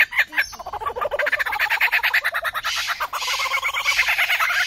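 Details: Lyrebird song from Australia, 2019: a fast, rattling, rhythmic series of repeated notes, pulsing several times per second, rising into a denser hissy chatter in the second half.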